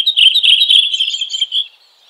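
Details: Red-throated thrush singing in nature: a continuous high, chattering warble of quick slurred notes lasting under two seconds, then fading to silence.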